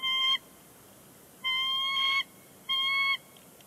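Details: Bald eagle pair at Big Bear Lake, 30 January 2020, calling on the nest before flying off; three sustained, even, whistled notes, the later two longer, separated by gaps of over a second.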